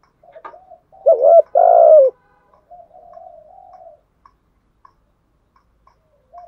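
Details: Decoy spotted dove in a cage cooing to attract wild doves: a few soft murmurs, then one loud phrase of a short coo and a long falling coo, followed by quiet low cooing and faint clicks.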